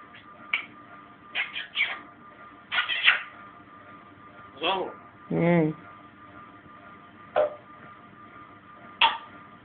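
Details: Captive African grey parrot talking Persian in a quiet indoor room: clipped speech-like syllables and a longer drawn nasal sound near the middle, uttered in scattered bursts with short silences between.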